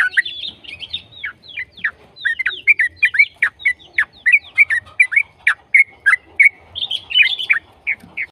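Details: Continuous, fast yellow-vented bulbul singing used to prompt other bulbuls to answer: a jumbled, high flurry of notes at first, then evenly spaced bubbly chirps rising and falling, about three per second.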